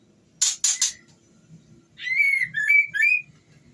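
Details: Female white-rumped shama in breeding condition calling to the male: two harsh, rasping bursts, then after a pause a wavering whistled phrase of sliding notes that rise and fall.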